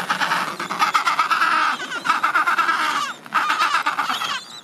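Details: Adélie penguin colony at summer's end, thousands of birds and young ones losing their last down: loud, raspy, throbbing braying calls running almost continuously in long pulsed phrases, with one short pause near the three-second mark.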